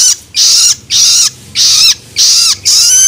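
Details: Young long-tailed shrike begging with loloan calls meant to stimulate adult birds: loud grating, hissing notes of about half a second, repeated rhythmically with short gaps.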